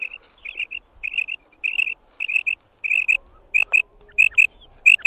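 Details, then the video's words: Female quail calling: short, clear, high notes given in quick pairs and triplets, the groups repeating roughly every half second, with a few faint clicks toward the end. "Female Batair sound / مادہ بٹیر کی مست آواز"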